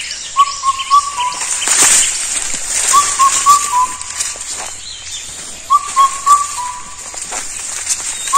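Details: An Indian cuckoo, a solitary and shy bird, gives its loud whistled four-note phrase, the last note dropping, repeated about every three seconds over a steady high insect hiss.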